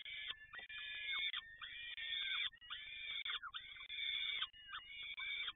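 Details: Peregrine falcon in Toruń giving a harsh, harmonic wailing call, about five drawn-out notes, each near half a second, repeated with short gaps and some bending at the ends.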